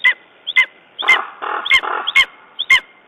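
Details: Lesser spotted eagle at its nest in Estonia on 14 June 2011, after a raven attack left it traumatized; short, sharp, ringing yelps repeated about every half second, six in all, with rougher, broader notes in between.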